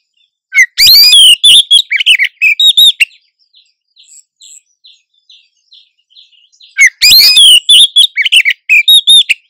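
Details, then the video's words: Oriental magpie-robin female in breeding condition luring a male with calls that are exchanged back and forth: two bursts of fast, varied high whistles and chattering notes, separated by a quiet stretch of faint soft ticking. "Suara Burung Kacer Betina Birahi Memancing Jantan"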